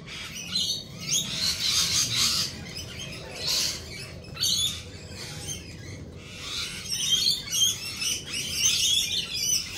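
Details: A flock of lorikeets gives busy high-pitched screeching and chattering in rolling bursts, with a faint background hum.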